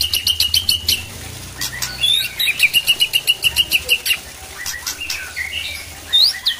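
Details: White-rumped shama singing to provoke other shamas into aggressive singing: rapid runs of short, evenly spaced whistled notes at one steady high pitch, broken by a few sharp clicks and a rising sweep.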